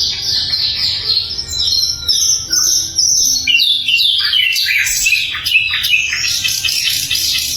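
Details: Sikatan londo flycatcher, a model singer for other songbirds, gives a dense, energetic stream of high chirps and falling whistles that swell into a busy, scratchy twitter.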